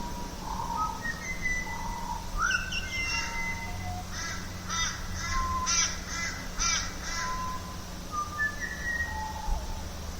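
Pied Butcherbird giving slow, clear, flute-like whistles that rise and fall, with a short run of harsher repeated notes in the middle. A low steady hum runs underneath.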